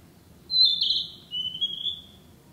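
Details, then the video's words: Narcissus flycatcher, a breeding summer bird, sings in the woods: a sweet whistled phrase with a high fluttering opening that drops to a lower, longer warbled note, in a calm, quiet setting. "「キビタキ」 林の中 美しい声でさえずる “Narcissus Flycatcher” sings a sweet song in the woods"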